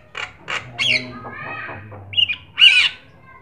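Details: Energetic black-winged starling singing as a prompt for other birds: rough, scratchy bursts and a warbled middle phrase, ending in a short whistled note and a loud, raspy squawk.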